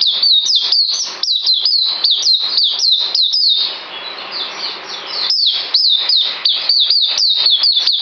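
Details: Fast high-pitched white-eye song from 9 December 2018: rapid falling whistles, a pause of about two seconds with faint twittering, then the quick run resumes.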